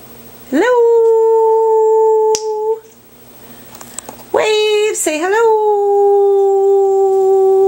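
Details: Nearly 18-year-old male African grey parrot, kept indoors and chatting with its owner, gives long, steady, hummed tones held level for about two seconds, then a short break and a scooping note before another long sustained tone, in a small room.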